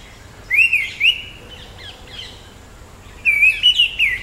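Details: Orange-headed thrush (Zoothera citrina): a rich, rolling whistled phrase of looping notes with thin high overtones, followed after a gap by a second varied warbled phrase rising and falling.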